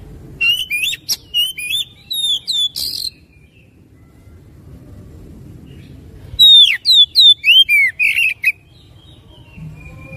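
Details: Loud oriental magpie-robin song, played to encourage another bird to sing eagerly: rapid strings of rising and falling whistled notes with harsh chips, one three-second burst, a quiet gap, then a second vigorous burst.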